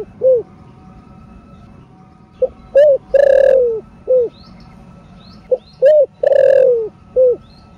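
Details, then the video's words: Cooing spotted dove in the thổ sấm style used to excite caged doves: two matching phrases about three seconds apart, each a quick soft note, a short coo, a long falling coo and a final clipped coo; faint high chirps behind. "THỔ SẤM ĐỒNG... RA ĐỒNG... CỤC CÚC CU KÍCH BỔI ( THỔ RỀN )"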